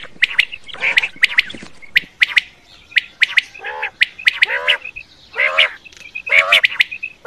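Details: Calls of quail for night hunting: crisp paired high chirps interspersed with drawn-out, harmonic nasal squawks, several birds overlapping in irregular rhythm.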